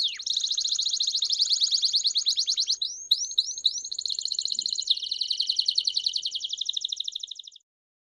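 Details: Bell song of a Belgian canary: a long, rapid high trill, a brief break of a few rising slurred notes, then another dense rolling trill that stops abruptly near the end.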